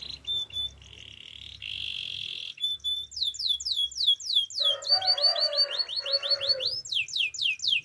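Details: Male canary delivering clear whistles and buzzy trills, then long runs of fast sweeping notes repeated around three per second, mixed with a lower rattling phrase.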